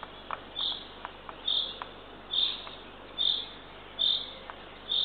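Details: Third owlet of a Eurasian eagle-owl pair, fed by the female at dawn, 6:21 am, 3 June 2023, at a Northern Estonian nest. Six raspy high calls repeat just over once a second, with light clicking between them.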